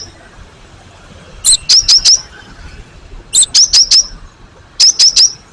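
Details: Gelatik batu, the cinereous tit, used as a lure recording to make other birds reply. Three bursts of four sharp, high, ringing notes are spaced about two seconds apart over soft background hiss.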